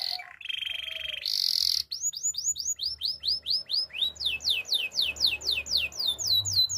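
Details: Canary song offered for training other canaries: a brief buzzy trill and a rapid high roll, then long runs of high, downward-curving whistled notes repeated about four times a second.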